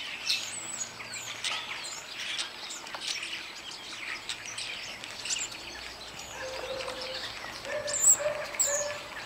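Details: Group of starlings in Ireland singing as a chorus on a warm summer's day; continuous crackling chatter, clicks and scattered whistles, with a brief low hum and a louder squeak near the end.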